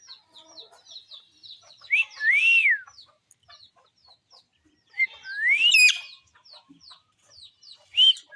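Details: Parrot pair feeding; loud arched whistles rising to a peak and falling, around two and five seconds, with a short one near eight seconds, over a steady background of many small high chirps.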